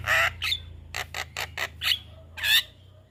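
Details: Javan myna master song for tutoring young birds, harsh broadband squawks alternating with short rasping notes and a whistled upslur, then a loud final screech.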